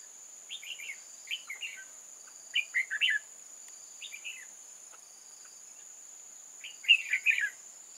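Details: Old-forest red-whiskered bulbul singing in a trap to lure wild bulbuls, 8 October 2018: short bouncy chirpy phrases repeated every second or so, ending in a louder busy burst, over constant hiss.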